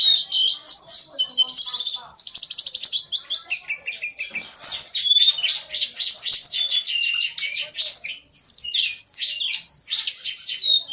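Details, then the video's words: Long, rich songbird medley mixing buzzy rattling trills, clear high whistles and dense rapid chattering phrases, delivered almost without a break. "Ocehan burung"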